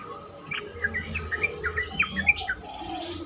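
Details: Yellow-vented bulbul, a recording meant to coax other bulbuls to answer and sing more: a lively run of short, sharp, bubbling chirps rising and falling, about ten notes in three seconds, over quiet low rumble.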